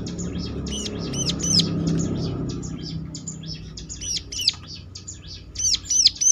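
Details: Prinia (ciblek) singing as a lure so that other prinias reply: loud, rapid series of sharp high chirps with ringing whistled notes in bursts, against a faint low background hum.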